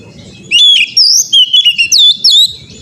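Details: Oriental magpie-robin in full song, recorded as training material for caged birds: a rapid, continuous string of loud, sweet whistles that swoop up and down, with short sharp accents and faint low thumps underneath.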